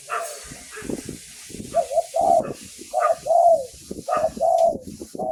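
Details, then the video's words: Decoy spotted dove from Thailand cooing in repeated low three-part phrases over a steady hiss, with thumps and other knocking noises mixed in. "เสียงต่อนกเขาใหญ่ เสียงชัด"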